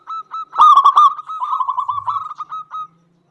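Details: Local zebra dove singing loudly to provoke rival doves into song: a few spaced coos lead into a loud ringing burst, then a fast rolling trill of short notes that slows into evenly spaced coos.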